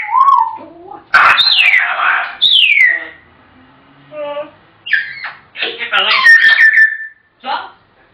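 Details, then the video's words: African grey parrot babbling in mimicked speech with swooping whistled notes and squawky bursts in a small room. "Chatterboxes!! African Grey Parrots"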